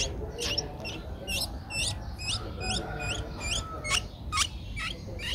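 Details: Nestling Streak-eared Bulbul at eleven days, recorded in Ubon Ratchathani, Thailand, on 13 April 2023. Shrill, squeaky notes tumble out in quick, irregular bursts, some rising and some falling, above a constant low drone.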